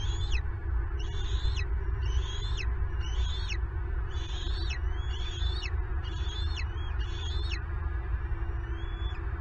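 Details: Nest-camera bald eagle in Southwest Florida during an intruder's theft of a turtle breakfast for two eaglets; rhythmic high whistled notes sliding downward, about one each second, ending with a long thin whistle, amid deep rumble.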